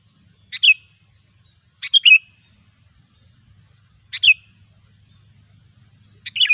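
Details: Short gurgling song phrases from a wild sooty-headed bulbul, each a quick cluster of two or three bright notes ending in a slurred whistle, repeated every two seconds or so over a soft low hum.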